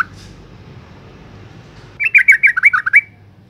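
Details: After a quiet start, a female yellow-vented bulbul calling to stimulate males delivers one lively burst of about eight quick, slurred notes lasting a second.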